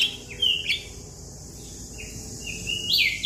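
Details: Young Javan myna calling out to its companions: a few clear whistled notes, some rising and some falling, separated by quiet gaps, with one sharp click, over a steady faint background hiss.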